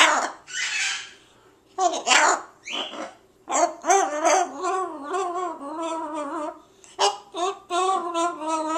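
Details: Captive presumed male ruby macaw in his thirties, kept indoors in a small room and recently rehomed. Harsh, raspy squawks come in short bursts, mixed with wavering, speech-like vocal sounds, while a person repeatedly greets the bird nearby.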